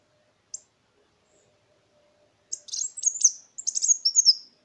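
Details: Kolibri Wulung sunbird lure song meant to get stalled birds singing and to teach other songbirds; a lone high chip, a pause, then a hurried run of sharp twitters and falling high whistles.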